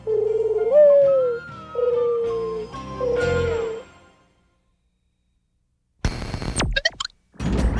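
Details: A sustained synthesized melody plays and fades, followed by silence and then sharp clattering bursts of noise.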